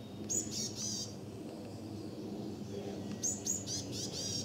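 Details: Varied tit holding a large beakful of nesting material, giving alarm calls near a stone lantern where it may be nesting: two short bursts of high, buzzy, rasping notes over low background rumble.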